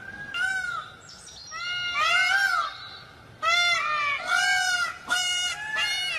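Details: Peafowl calling repeatedly in loud, trumpeting, arched wails, several birds overlapping. Bursts come roughly every second, with a brief lull in the middle.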